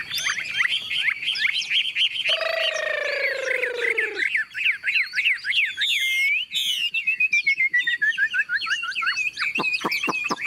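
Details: Caged Chinese Hwamei, a tame, newly arrived bird with yellow legs and bill, singing as heavy rain begins: rapid looping whistled notes, with a long drawn-out, lower, rasping harmonic note midway and sharp clicks near the end.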